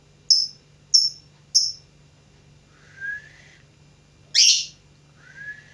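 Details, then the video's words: Young singer, a lovebird learning to sing, gives three short sharp chirps evenly spaced, then faint rising whistles, one harsh rasping burst and another soft upward whistle, against a low background hum. "Burung lovebird belajar berkicau"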